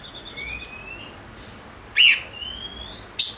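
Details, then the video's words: Chim ngũ sắc (five-coloured bird) singing: long thin whistles that slowly rise in pitch, broken by two loud, sharp chirps in a short burst. "Chim Ngũ Sắc Hót Hay"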